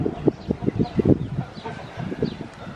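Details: Chicken: a run of low, short clucks in quick succession, about a dozen in under three seconds, uneven in rhythm and loudness, with a faint higher chirp now and then behind them.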